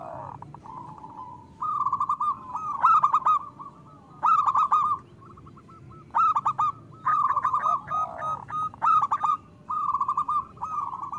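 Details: Loud local zebra doves singing as a lure to stimulate other doves. Clusters of rapid, bright staccato coos come in bursts separated by short silences, with a softer, lower sliding note in one gap.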